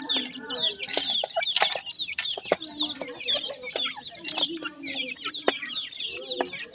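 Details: A brood of grey francolin chicks calling nonstop: bright, high, slurred peeps in quick irregular runs, about two a second, with frequent clicking and rustling knocks.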